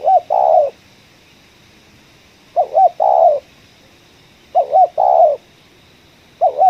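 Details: Spotted dove at a coffee plantation giving its 'ngeruk' style call. Low husky coo phrases, each a quick double hiccup note and a drawn-out burred coo, repeat roughly every two seconds.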